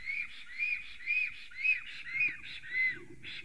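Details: Male black stork at a nest in Sigulda, Latvia, filmed by live nest camera at 10:11 am on 30 April 2020 while preening and rearranging branches; six arched, slightly wheezy whistles come in steady succession about every half second.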